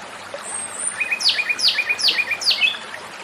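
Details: Japanese robin song with a thin high whistle leading into four loud, sharply descending sweeping notes repeated roughly twice per second, each trailed by lower chirps; steady background hiss.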